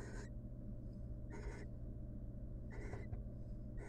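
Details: Wild female barn owl in a monitored nest box, showing affection to the male before returning to incubate their eggs. Three harsh, hissing screeches, each about a quarter second, roughly one every 1.3 seconds, over a steady low hum.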